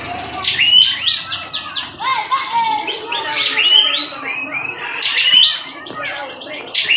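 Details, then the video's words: Caged prinia from a bulk lot of wild-caught birds, singing busily: dense high chirps, rapid trills and upward-sweeping notes in bursts, with faint low voices in the background. "Beli burung prenjak di ombyokan,dapat yg gacor bosku."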